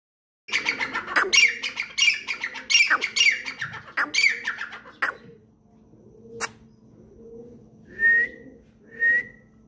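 A grey francolin gives loud, harsh, repeated squawking notes in a rapid series, then two clear whistled notes about a second apart.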